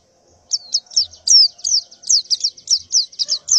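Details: Female white-eye in breeding condition calling males to mate, recorded in the morning: a quick run of high, sharp, downslurred chirps, about a dozen in three seconds, evenly spaced and bright.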